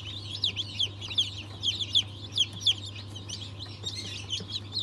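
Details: Freshly hatched Cream Legbar, Australorp and Ayam Cemani chicks, 07.02.2023, one chick standing out with clear, high downward peeps about twice a second above a softer chorus and a low hum.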